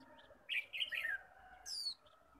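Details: Japanese white-eyes, kept birds brought out in the morning after rain for a heated singing contest; a burst of fast twittering chatter, then a high, bright whistle sliding steeply downward, with other birds faintly behind.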